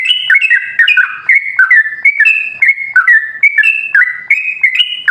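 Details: Sooty-headed bulbul (trucukan) lure song to set other bulbuls singing: steady sequence of clear whistled notes hopping between two or three pitches, each phrase linked quickly to the next.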